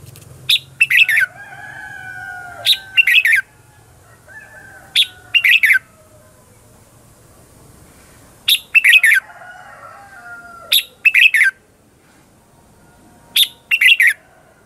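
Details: Competitive 'ché chéc' song of a red-whiskered bulbul kept as a lure for wild birds; short clusters of bright chirped notes spaced several seconds apart, with faint sliding tones and light low hum.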